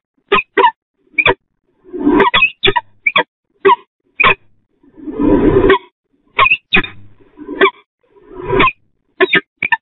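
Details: Peregrine falcons at the Catharina church nest, Eindhoven, 07:12 on 8 April 2020, as the male brings small prey for the female, giving harsh, sharp calls, mostly short clipped notes with a few longer grating bursts, about once a second.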